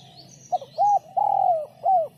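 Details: Sấm chuông cooing of a spotted dove, meant to excite males and females: a clipped note, a rounded coo, a long drawn-out falling coo and a final arched coo. Thin high bird chirps sound softly in the background.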